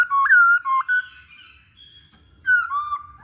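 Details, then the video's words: Masked laughingthrush singing to prompt other birds to sing: loud pure whistled notes that step up and down, a pause, then a falling whistle into a steady tone. "Pancingan Poksay Hongkong"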